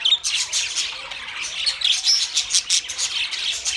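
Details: Budgerigars warbling and chirping brightly, a dense run of high squeaky notes with a few thin whistles, the flock's voices overlapping in lively chatter.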